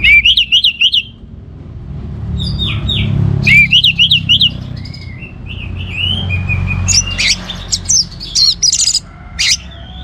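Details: Orange-headed thrush in full, energetic song: a rapid zigzag trill of high whistles opens, followed by slurred rising notes and a dense, varied run of sharp chips and whistles against a low background hum.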